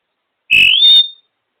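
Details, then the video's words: Female African grey parrot on top of her cage giving a birdy whistle: one clear note sliding upward and levelling off, overlaid with a brief buzzy rasp, ending after about half a second in silence. "Ebony the African grey parrot making birdy noises on top of her cage"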